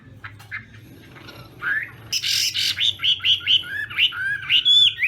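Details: Chinese hwamei during morning singing practice; after faint scattered chirps, a harsh burst gives way to a string of clear rising whistles repeated about twice a second.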